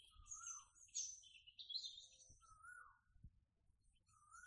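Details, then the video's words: Red-vented bulbul outdoors: three brief, mid-pitched whistled notes, slurred and gently falling, spaced irregularly, beneath louder high chirps and twitters of other birds, with faint low thumps. "bulbul#बुलबुल#with nature sound"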